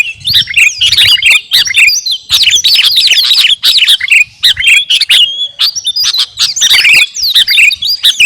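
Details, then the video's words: Actively singing kutilang garuda, a sooty-headed bulbul, used to train captive songbirds: an almost unbroken stream of bubbly chirps and twisting whistled notes, with short pauses between the phrases. "KUTILANG GARUDA GACOR..!! SIAP TEMPUR KICAUAN"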